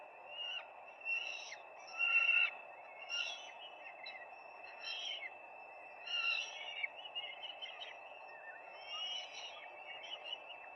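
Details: Peregrine falcons at their nest on 4 May 2025, filmed by a live nest camera: short harmonic calls roughly every second over a steady background hum.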